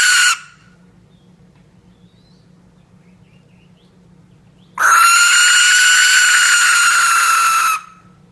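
A barn owl gives a harsh, hissing scream lasting about three seconds, after a brief clipped screech at the start. A faint low hum fills the quiet gap.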